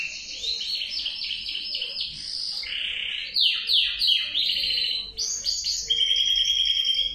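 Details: Male canary song with buzzy rolling trills, a lower warbled passage, three sharp swooping down-slurs, then a long pure high trill sustained through the final seconds.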